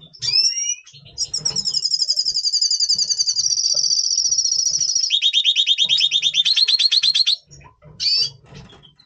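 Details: In pre-breeding mood, November 2023, a double pastel red siskin sings a long twittering trill of fast, buzzy high pulses lasting about six seconds, dropping in pitch midway, framed by brief sharp chirps.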